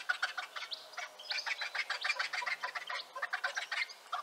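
Griffon vulture giving harsh, rasping cackles in a fast, uneven stream of noisy bursts, several each second, with no other sounds standing out.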